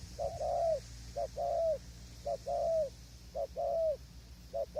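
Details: Loud spotted dove calls from a tented decoy station in strong wind, with distant wild birds; crisp paired coos, a clipped note then a long rounded one, repeated roughly each second over low hum.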